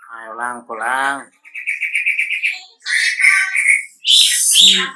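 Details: Lure call of a wambi meant to draw replies from other wambi: a low harmonic voice opens, then strings of whistled chirps and a bright burst of higher notes, with a person talking in the background.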